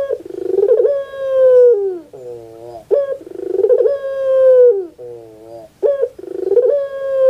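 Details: Repeated cooing of a puter pelung dove meant to prompt a lazy dove to sing: rich, low, hollow phrases roughly every three seconds, each a pulsing rise into a long held coo that drops away, then a softer, shorter wavering note.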